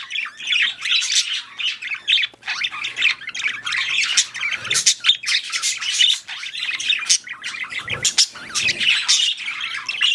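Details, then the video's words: Budgies in mating and breeding condition chatter nonstop, mixing high squeaks, harsh squawks and clicking notes in a busy, uneven flow. "Budgies / parakeets | Mating / Breeding"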